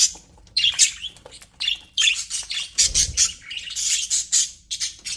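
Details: Happy pet budgies keep up a busy mix of high squeaky chirps, buzzy squawks and brief trills after a quiet start, with a faint thud in the middle.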